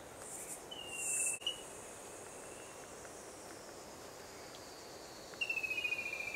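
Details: Recorded 3/3/16, a rufous-capped antthrush delivers two short runs of quick whistled notes, the second cut off at the end, against a constant shrill insect hiss.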